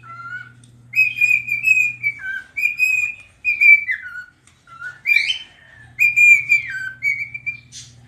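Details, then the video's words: Singing pet cockatiel, dancing and rubbing its tail: clear whistled phrases that slide up and down, broken by brief gaps, over a steady low electrical hum. "Dancing (Rubbing its tail and....) and Singing - Pica the #Cockatiel"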